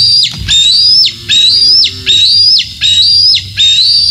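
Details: At Decorah North, a bald eagle calls on the morning of 27 June 2024: a regular run of five piercing, whistled squeals that climb slightly and end in a steep downward slur, roughly every 0.7 seconds, with a brief low tone early on.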